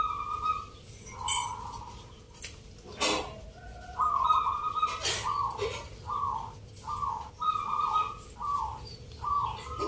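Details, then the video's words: Competing zebra doves sing at a Yogyakarta singing contest with entrants from many Javanese towns. A series of short, rhythmic trilled coo notes repeats roughly every second, interrupted by a loud click and crowd noise. "Pertarungan sengit Perkutut lokal irama 😱Suaranya ngerih"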